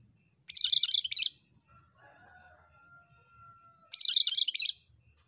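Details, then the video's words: A Sunda bulbul in full song, used as a training (masteran) recording, gives two bursts of high, dense, scratchy chattering, each under a second, about three seconds apart, with a faint steady whistle-like tone between. "MASTERAN BURUNG KERINCI GACOR"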